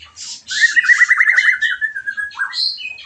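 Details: White-rumped shama song used to stimulate a bird after moulting, to raise its spirit and mating drive; a quick buzzy trill of repeated notes runs steadily for over a second, then scattered high whistles and a short rising note.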